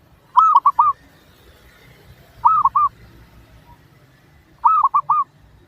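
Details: A zebra dove sings to lure other doves into answering. Three short phrases of three clear, mellow cooing notes each come about every two seconds over a quiet background.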